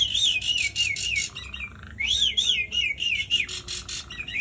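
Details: Asian pied starling singing loudly and continuously, played to prompt quiet starlings to sing. Fast, wavering whistles rise and fall rapidly over a buzzy, rattling overtone, broken twice by a brief low hum.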